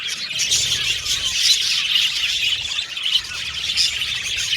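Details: Caged budgerigar colony chirping and singing, with harsher squawking notes mixed into the continuous shrill chatter, briefly softer around the middle.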